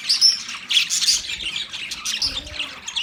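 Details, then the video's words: Australian budgie parakeets chirping in a dense, continuous chorus of high, quick tweets and short scratchy notes, many calls overlapping with barely any pause. "Budgies Parakeet Birds Chirping sounds Big sound of Australian Budgies parrot"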